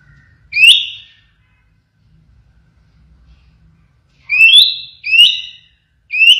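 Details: Blorok White-rumped shama giving isolated 'siren shot' notes: short, loud, sharply rising whistles, one early, then three more in quick succession after a silent gap.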